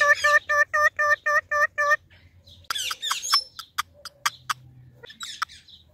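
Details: Greeting baby parrots, a talking Indian ringneck parakeet repeats seven nasal, evenly spaced syllables in a quick rhythm, followed by sharp clicks, thin squeaks and scattered chatter.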